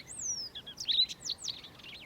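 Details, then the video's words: Yellow-fronted canary in South Africa singing early on an autumn morning. A long, high, descending whistle opens the phrase. Quick looping slurs and sharp chirped notes follow in a lively, tumbling burst. "YELLOW-FRONTED CANARY singing"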